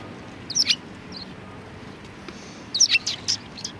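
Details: Sparrows at a Tenmangu shrine, February 2020: a quick pair of high chirps, a pause, then a tight cluster of three or four sharp notes, with quiet ambient hiss between.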